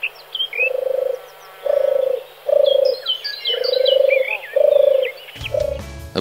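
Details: Song of a male European turtle dove, a run of six low purring trills, each roughly half a second, evenly spaced, with other birds chirping above; a sudden broad noise cuts in near the end.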